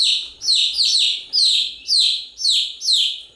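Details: Chicken chicks keep up a continuous chirping: piercing, falling peeps in a steady rhythm, about two each second, layered over one another.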